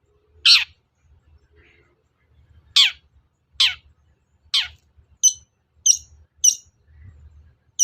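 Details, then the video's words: Provocation sound of a long-tailed shrike meant to make other shrikes respond: scratchy, down-slurred harsh notes at uneven intervals, then a run of shorter, higher, clipped chips near the end, with a soft low background hum. "SUARA PANCINGAN BURUNG CENDET AGAR EMOSI & NYAUT GACOR"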